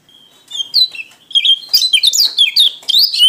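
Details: White-eye from Lombok/NTT, Indonesia, in gacor ngalas song. A single thin whistled note opens the clip, then rapid, tumbling high twitters and chirps pour out, growing denser and louder toward the end.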